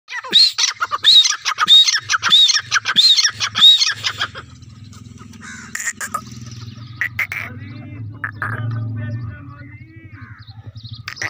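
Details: White teetar, a francolin also named dakhni teetar: about six harsh, squeaky calls repeated roughly every 0.6 seconds over four seconds, then human voices and a low hum.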